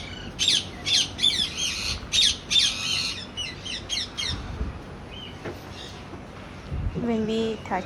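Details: A pet macaw kept at home gives a run of harsh, grating squawks, several a second, then falls quiet; a person speaks near the end.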